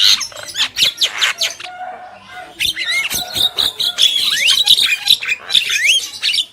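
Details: A male and female Javan myna in busy song: dense scratchy chatter, then a string of rising slurred whistles over continuous rasping notes, loud and nearly unbroken.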